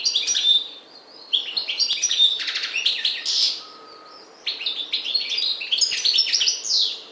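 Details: Goldfinch song, parva subspecies from the Maghreb: quick sparkling chirps mixed with rapid rattling trills and one drawn-out nasal note, broken by two short silences.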